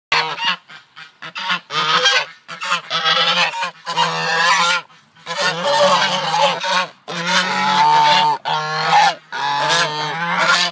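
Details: Newly arrived geese at a farm sanctuary greeting loudly with harsh, nasal honks in overlapping bursts, several birds calling together with short pauses between runs of calls.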